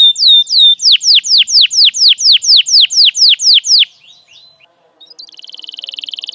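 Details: Canary lure song meant for young canaries to copy: a steady run of loud, evenly spaced downslurred whistles about three per second, a short pause with faint notes, then a fast buzzy trill begins.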